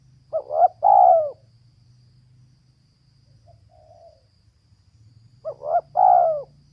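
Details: Female spotted dove giving two stuttering coo phrases a few seconds apart, each rising into a strong falling coo. A faint soft note falls between them, and a low steady hum runs underneath.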